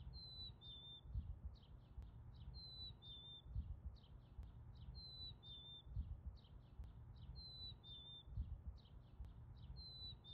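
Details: Chickadee, a year-round songbird of the northern United States, singing in summer: a clear, high, whistled phrase stepping slightly downward, repeated about every two and a half seconds, with faint soft chip notes between and low rumbling background noise.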